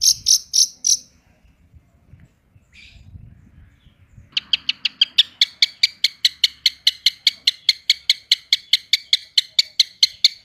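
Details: Long-tailed shrike performing fast 'roll tembak' song: a few loud sharp notes, a pause filled with low rumbling, then a long steady run of clipped high notes at about five per second.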